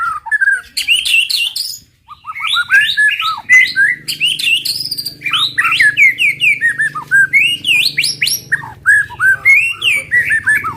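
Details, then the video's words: White-rumped shama in 'tembakan' song, used to stir other shamas to sing quickly; a long, fast, varied stream of high whistles, chips and slurred notes with barely any pauses, over a faint low hum. "TEMBAKAN MURAI BATU PEMANCING EMOSI AMPUH BIKIN AMPUH BIKIN MURAI CEPAT BUNYI"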